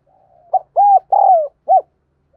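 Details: Decoy spotted dove heard in one clear phrase: a faint lead-in, a short coo, two long mellow arched coos, and a crisp final note, with silence around it.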